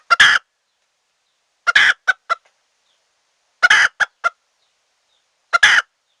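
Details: Red junglefowl hen calling as a lure to draw wild birds into a trap. Bursts of three or four harsh, scratchy clucks come about every two seconds against a silent background.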